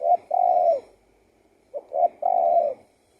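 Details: Two cooing phrases from a spotted dove, each made of clipped introductory notes and a drawn-out, mellow coo that sinks at the end, with silence between.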